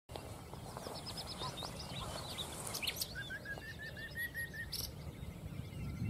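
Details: Common nightingale singing in Castricum, the Netherlands. High scattered notes are followed by a steady series of repeated mid-pitched notes, partly masked by loud low rumbling background noise.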